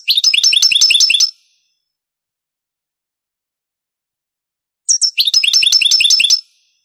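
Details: European goldfinch, Granada-style song from an original Spanish cassette dating to the late 1980s or early 1990s: a dense fast repeated phrase ends, a long pause, then a sharp high note opens another rapid, rattling run.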